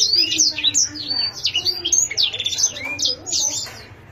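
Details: Canary in full song: quick, bright whistled syllables sliding down and up, packed into rapid runs with short buzzy bits, fading slightly at the end, a quiet hum underneath.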